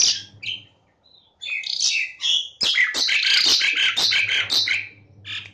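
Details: Lively Asian pied starling song from a recording meant to draw lazy caged starlings into singing: a few varied notes, then a loud, nearly unbroken stream of chattering, scratchy squeaks and whistles, with a low hum at the start and end.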